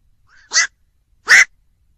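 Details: Two gruff, clipped black-crowned night heron calls under a second apart, the first preceded by a faint thin rising note.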